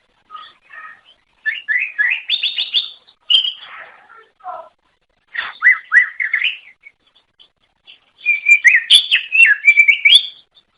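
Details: Greater green leafbird song used to attract other leafbirds: bursts of rapid, melodious whistled phrases, rising and falling, separated by short pauses, ending in a fast chattering warble.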